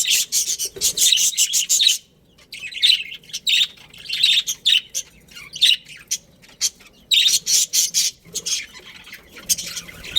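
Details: Budgerigars of a breeding pair in a colony in lively chatter: fast runs of bright, scratchy chirps and warbles, broken by short silences, and loud throughout.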